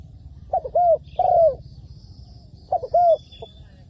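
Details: Decoy spotted dove kept for trapping on the ground, cooing in quick paired phrases: a short note followed by a longer, smooth, arched coo, repeated twice within a few seconds, with a soft faint extra note and quiet background.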